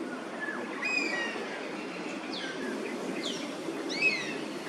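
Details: In Singapore, a migratory Oriental honey buzzard on its roost calls repeatedly against invading Oriental pied hornbills. Soft, drooping whistled notes with faint overtones sound at intervals over a continuous low rumble.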